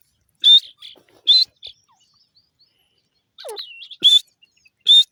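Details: Grey francolin (teetar) uttering strident high notes in pairs, a pause, then a lower sliding wavering sound followed by two more sharp shrill notes.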